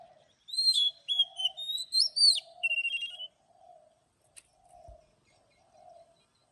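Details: Morning song of an Oriental magpie-robin, forest-voice style with long drawn notes: a three-second run of clear, varied whistles and sweeping slurs, over a soft, steady low cooing from another bird that continues after the song stops.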